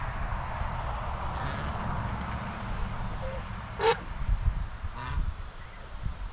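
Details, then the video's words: A single clear nasal honk from white Chinese geese on a farm, domestic birds grazing and bathing, followed by a fainter call, with constant low background hiss and rumble. "Eight Minutes of Natural Farm Sounds | White Chinese Geese"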